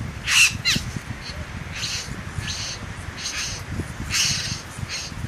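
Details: Satin bowerbird male in the Southern Highlands performing for a female with dance and mimicked bird sounds; a sharp loud rasp opens, followed by a run of softer buzzy, hissing notes spaced about half a second apart.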